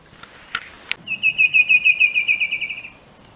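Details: Two sharp clicks precede a bicolored antvireo in Colombia pouring out a fast, even series of about fifteen clear notes, gently falling in pitch and fading over two seconds.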